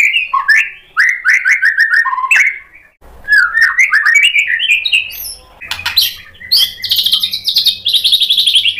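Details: White-rumped shama singing to provoke other shamas into emotional, full song: rapid sequences of whistled and chattering notes, clicks and sharp buzzy bursts, with a brief pause near three seconds.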